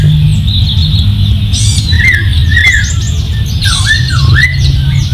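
A Masked laughingthrush gives loud, looping whistled phrases that rise and dip, in two short bursts, over a steady high hum and heavy low rumble.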